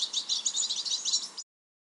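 A European goldfinch gives a rapid, tinkling run of high twittering notes, liquid and slightly buzzy, lasting about a second and a half.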